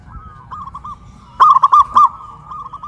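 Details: Zebra dove, a local bird from Kuningan, West Java, singing loudly while hoisted high on a pole. A faint rolling coo is followed by one loud burst of four or five quick, clipped coo notes.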